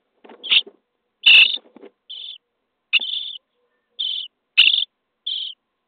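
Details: Common starling nestlings in a nest box on day 23, being fed: short harsh rasping bursts with a whistled edge, about seven spaced through six seconds, some louder and broader than others, with no other sounds.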